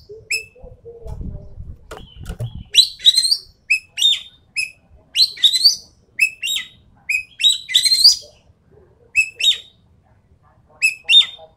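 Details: Javan pied starling delivering a long 'tembakan'-style song: after a brief low rumble, a rapid string of shrill whistles and buzzy, scratchy rising phrases follows almost without pause for about nine seconds.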